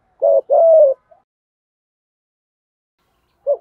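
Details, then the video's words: Single 'thúc gù' phrase of a spotted dove in the 'thổ' style, used for training newly caught doves. A short note and a longer, falling low coo are followed by silence, then a brief note at the end. "tiếng chim cu gáy THÚC GÙ, cu gáy giọng thổ bài bản dùng tập bổi"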